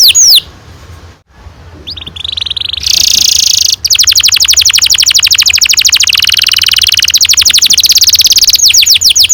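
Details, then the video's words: Canary delivering a long rolling song meant to stimulate young birds to sing: a few sharp sweeps, a buzzy sustained phrase, then a dense high trill of quick pulses lasting several seconds. "Kenari gacor NGEROL PANJANG cocok untuk PANCINGAN KENARI PAUD bikin BURUNG KENARI GACOR PANJANG"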